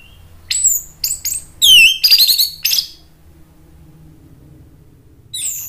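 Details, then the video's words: Orange-headed thrush from Indonesia, provoked by a lure recording into agitated answering in ngeplong style: a run of loud, high, sharp notes, some sweeping steeply downward, with a pause and then a final high note. "ANIS MERAH jadi EMOSI NYAUT ikut NGEPLONG"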